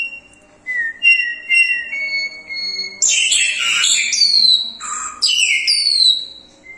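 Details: Crested myna in energetic song: a series of steady pure whistles at shifting pitches, then a harsh buzzy burst followed by bright descending slurred whistles.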